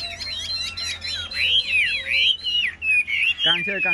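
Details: Caged Chinese hwamei in contest song: fast jumbled chirps give way to long swooping whistles, and a man's voice cuts in at the end.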